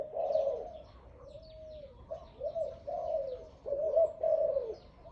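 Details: A dove with a big voice, offered for sale, gives quieter drawn-out coos, some held level and others dipping, in uneven groups against a calm background.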